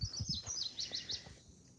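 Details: Woodpecker up in a tree beside a country dirt road, heard on a walk before it flew off: a quick run of high, sharp notes, about five in under a second, over low rustling footsteps.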